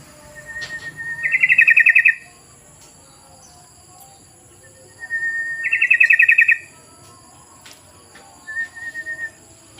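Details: Yellow-vented bulbul lure recording played to draw other birds into singing. A short whistled note leads into a rapid bubbly pulsed trill, twice; a brief third phrase follows. Faint steady high hiss throughout.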